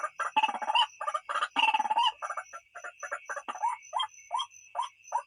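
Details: Ruak-ruak, the white-breasted waterhen, in a recording for luring birds at night: a busy run of rasping, overlapping croaks with loud harsh bursts that ease into spaced single notes.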